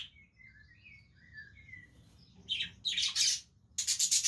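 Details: Budgies playing with each other: soft wavering whistles and warbles first, then abrupt bursts of loud, harsh, buzzing chatter.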